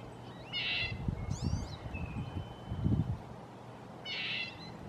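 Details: Two short nasal toots from a red-breasted nuthatch, about three and a half seconds apart, with a quick twittering whistle from another bird between them and soft low thumps.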